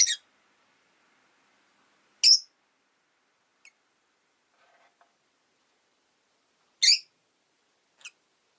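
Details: Rosy-faced lovebirds, five kept in a cage by a window on a winter day; sparse short sharp chirps at irregular intervals, four louder and a few faint, with near silence between.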